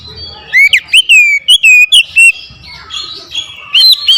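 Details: Provoked to challenge a rival, an oriental magpie-robin pours out loud song: a swooping upslur followed by a rhythmic chain of about seven clear whistled notes, then softer warbling and two more ringing notes.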